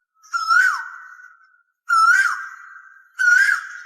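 Asian Koel giving three loud, clear whistled notes about a second and a half apart. Each swells upward, then slurs down into a fading tail.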